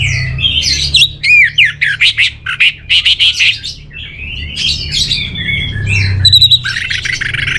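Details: Dense, energetic song from an orange-headed thrush: a fast stream of harsh, buzzy and whistled notes, loud pulsed bursts in the first half, then tumbling warbled phrases, with low hum behind.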